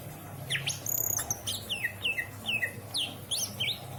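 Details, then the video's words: Greater green leafbird kept in a cage in Indramayu, Indonesia, singing isian song: a string of crisp whistles, each swooping downward, repeated roughly twice a second, with a brief buzzy trill early on. "burung cucak ijo isian mantap!!!"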